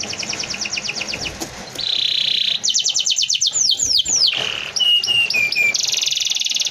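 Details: A canary with a dense tutoring song: a quick trill, a buzzy sustained roll, a run of rapid rising notes, clear descending whistles, and a closing high rolled trill.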